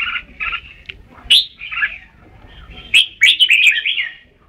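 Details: Red-whiskered bulbul singing bright, chirpy notes, with short bursts separated by quiet gaps and a lively warbled phrase near the end.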